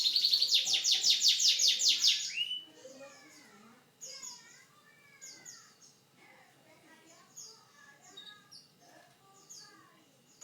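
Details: Canary with a unique song opens with a loud, rapid pulsed trill lasting over two seconds, then shifts to quieter scattered twittering and short falling notes.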